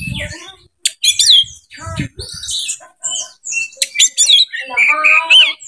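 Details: Oriental magpie-robin in breeding condition, singing as a lure for other birds: loud varied phrases mixing rich whistles, scratchy buzzes and sharp clicks in quick bursts, with a few low thumps.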